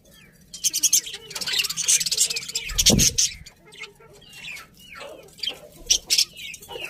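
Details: Pet budgerigars chattering steadily in dense, scratchy warbles and chirps, with a low thump partway through and later sharper whistled notes rising and falling.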